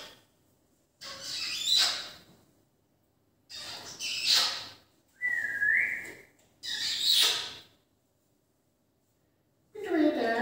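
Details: Rose-ringed parakeet, also called Indian ring-neck, giving harsh, broadband screeching calls in four separate bursts, plus one short flat whistled note near the middle, with quiet pauses between calls.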